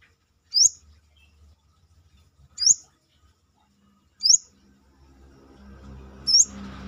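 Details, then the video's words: Brown-throated sunbird singing outside the cage, Indonesia, kept as a tutor song for songbirds: four high, piercing rising whistles spaced about two seconds apart, with a low rumbling background swelling toward the end. "KORLAP (Kolibri kelapa)Manggar gacor luar sangkar"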